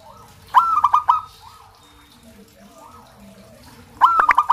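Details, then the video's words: Two phrases from a local zebra dove, each a ringing coo followed by fast staccato notes. Quieter, drawn-out cooing sits between them, with a faint murmur in the background. "Terapi suara perkutut lokal"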